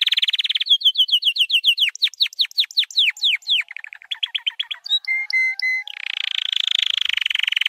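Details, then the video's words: Varied song from a white canary used for training: a quick trill gives way to repeated down-slurred whistles, a fast chattering series, steady paired tones, then a long rapid buzzing roll. "White Canary 12h Singing - The Best Training Song"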